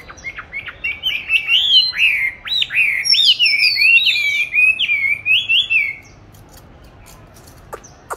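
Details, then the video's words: Caged oriental magpie-robin raised since 29 July 2020, recorded 22 March 2021 while hung in an ideal spot for song training: a six-second stream of varied, sweet whistled notes and slurs, then faint background clicks. "con than chuyền nuôi 29-7-2020(clip quay 22-3-2021) treo chỗ lý tưởng luyện hót"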